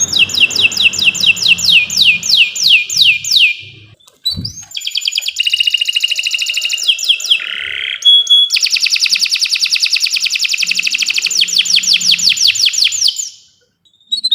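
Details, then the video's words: Canary delivering a long, loud tutoring song: runs of descending whistled sweeps, long buzzy rolling trills and a ringing note, with a click near the middle and a short silence at the end. "Kicau Burung Kenari 136 II LUAR BIASA GACOR PANJANG Cocok untuk Masteran"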